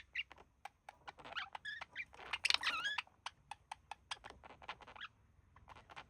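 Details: Male budgie kept as a pet with a female, mimicking human speech: dense chattering warble of fast clicks and bright whistled syllables, loudest in the middle, then sparser ticks.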